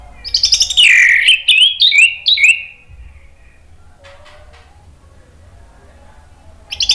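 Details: A male orange-headed thrush answering spontaneously sings a rich, fast burst of varied whistled and slurred phrases for about two seconds, then pauses quietly before a new phrase.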